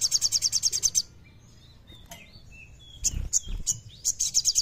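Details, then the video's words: Energetic kleper song of a common iora, a lure for under-singing birds: a rapid high trill, a quiet stretch with soft slurred whistles, then chips and a renewed fast buzzy trill, with low knocks. "Suara Sogon Gacor Kleper Jernih"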